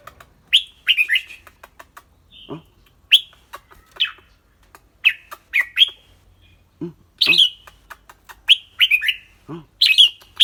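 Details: Caged red-whiskered bulbul singing and chattering in a clear voice: loud warbled whistled phrases of two or three notes, repeated about every second, with a man's low hums between.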